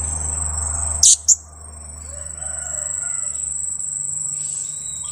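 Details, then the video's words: Blue-crowned hanging parrot chick, two weeks old, used as a decoy to lure wild birds toward a birdlime trap, utters two loud, piercing high kiak squeaks in quick succession amid constant high-pitched insect buzzing. "junior KIAK²...usia 2 minggu"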